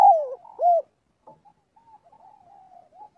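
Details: Spotted dove calling to gather its flock during daily voice training. The end of a phrase, a falling coo and a rounded arched note, is followed by a long stretch of faint, soft continuous cooing.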